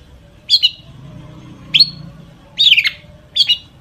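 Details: Long-tailed shrike song, full of imitated phrases and used as a lure to set other shrikes singing: four short, squeaky, high chirped notes spaced about a second apart, with a low hum underneath.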